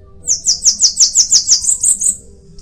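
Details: Bananaquit singing a quick, high-pitched string of about ten sizzling, slightly falling notes that end in a thin buzzy trill, over quiet background.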